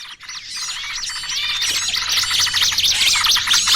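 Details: Small birds in a lure recording for trapping, a busy trucukan mix with burcil kejepit calls; it opens quiet, then dense high twittering and swooping whistled chirps overlap and build steadily louder.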